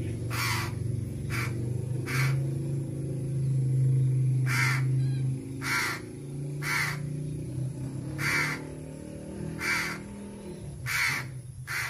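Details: Crow begging for food while being fed, giving sharp, harsh caws about once a second in a steady series over a constant low droning hum.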